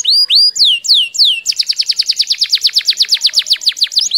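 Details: Domestic tame canary singing steadily to encourage a lazy or stalled canary: several slow, drawn-out downslurred whistles give way to a rapid, even trill of sharp repeated notes, with no other sounds.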